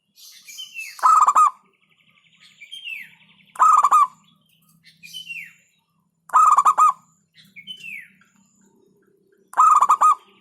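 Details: Local zebra dove repeating short bursts of rapid, rolling coos about every two and a half seconds, four phrases in all, while another bird adds high, downslurred whistles in the gaps.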